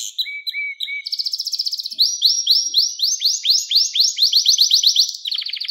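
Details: Singing canary, used to teach young canaries to sing: a continuous high trilled song, starting with short buzzy notes, then fast repeated upward-sweeping syllables in rolling series, ending in a rapid rattle.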